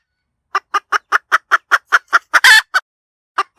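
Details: Hen cackling: a fast run of about a dozen short, evenly spaced clucks, then one loud, harsh, drawn-out squawk, followed by a few more clucks after a brief pause; no other sounds.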